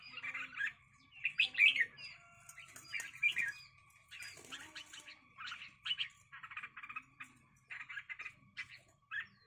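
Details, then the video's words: Harsh scolding chatter from red-whiskered bulbuls in a fight comes as clustered rattling bursts, some louder and rasping, repeated through the recording. "cho chào mào đá nhau"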